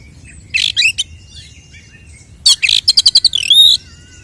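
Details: Oriental magpie-robin fighting song meant to provoke other males and raise a bird's emotion: a short burst of high chirps, a pause, then a rapid series of sharp clicky notes ending in a sweeping whistle.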